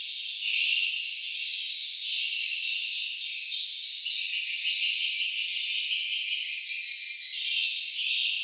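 Swiftlets twitter without pause in a dense, high, buzzy chatter of overlapping chirps, like a busy flock calling together, with no other sounds.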